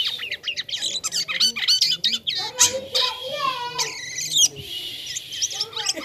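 A starling chatters energetically in a fast jumble of high squeaks, harsh squawks and bubbling whistles, with an odd toy-like, mechanical quality.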